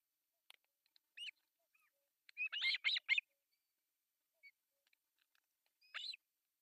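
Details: Begging from three osprey babies at a morning feeding, artificial nest, Pohjois Satakunta, Finland, 1 July 2024; a few thin chirps lead into a fast cluster of four harsh, high squeaks, then silence and one final chirp.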